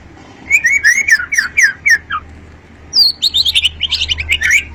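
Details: White-rumped shama, described as long-tailed, singing two runs of fast chirpy whistled notes, the second higher and brighter, each note clipped and repeated several times a second.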